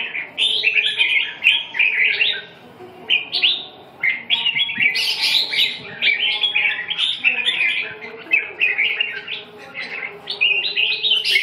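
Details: Red-whiskered bulbul singing: bright, chirpy warbled phrases tumbling one after another, dense and nearly continuous with only brief pauses.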